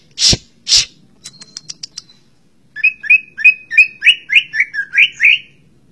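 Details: Greater green leafbird singing: two loud harsh rasping notes, a few soft thin ticks, then a quick series of repeated slurred whistled notes that rise and fall, with faint low background hum.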